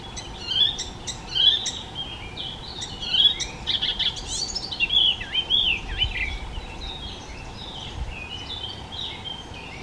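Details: Icterine warbler delivering a rich mimicking song of looping whistles, nasal slurred notes and quick clicks, phrases changing constantly over ten seconds.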